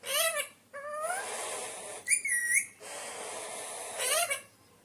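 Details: An Alexandrine parakeet, described as a naughty parrot, alternates loud rasping squawks with a clearer whistled note that dips and rises, ending on another harsh upward call.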